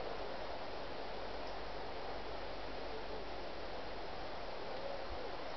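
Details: Steady broadband rustling and wind-like noise with a low rumble throughout, and no clear animal calls.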